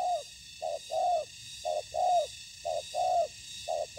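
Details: Decoy spotted dove in a ground trap confronting wild rivals; rhythmic coo pairs, a clipped note then a longer bowed mellow note, about one per second over a constant high electrical whine.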